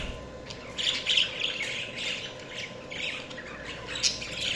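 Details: Budgerigars chirp and warble in a rough, rolling chatter, with short bright squeaky notes near the start and end and steady raspy twittering between.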